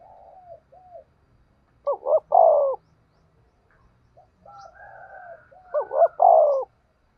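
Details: Decoy spotted dove calling for trapping: two loud phrases about four seconds apart, each a pair of quick upswept notes and a long descending coo, with quieter cooing from other birds before each.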